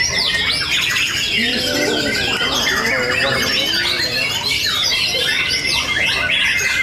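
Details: Contest song of a young long-tailed white-rumped shama, first-place winner of the main class at a night gathering in Surabaya; sweeping whistles and scratchy chatter, with lower calls from other birds and continuous crowd noise.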